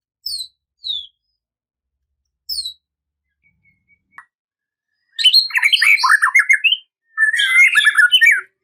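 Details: White-rumped shama song packed with varied phrases, used to lure and anger a rival male: a few thin descending whistles with pauses, then two dense bursts of fast, scratchy, chattering notes jumping widely in pitch.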